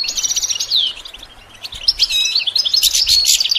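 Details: Goldfinch song used as stimulation to train songbirds: fast high twittering with a run of quick buzzy trills, a short lull, then a bright burst of tinkling notes and sharp rasping phrases.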